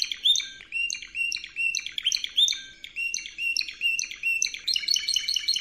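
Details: Training song of a Spanish Timbrado canary: rhythmic bursts of descending metallic notes repeated about twice a second, ending in a faster bright rolling series, with faint low background hum.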